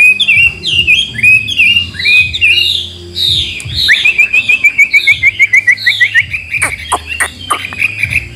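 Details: Wild-caught hwamei in Vietnam, singing and fanning its tail at eight in the morning, its varied voice said to come from meeting wild birds: looping whistled phrases, then a rapid trill of short repeated notes and sharp clicks.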